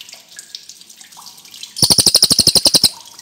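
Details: Cililin (lesser racket-tailed drongo) heard over faint trickling background, then a one-second flurry of quick shrill repeated notes in a regular beat.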